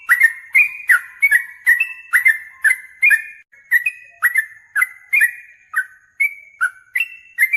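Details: Yellow-vented bulbul singing hard, seeking a rival to fight and answering it aggressively: a rapid series of short, liquid whistled phrases, each a bright falling-then-rising warble with sharp high ticks, about two phrases per second, no other sounds.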